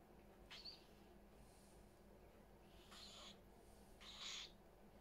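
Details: Indoors among many parrots, rasping screech-like calls come in three bursts, a brief one first, then two longer harsh squawks toward the end, over low room noise.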